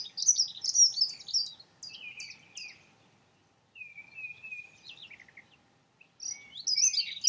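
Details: Dunnock in song: a rapid, tinkling warble at the start, a pause, then a drawn-out thin note with soft twitters. A final burst of hurried high warbling follows another short silence.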